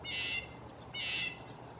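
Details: Red-breasted nuthatch uttering two clear nasal, tinny calls, each about a third of a second long with rich overtones, spaced under a second apart over a quiet background.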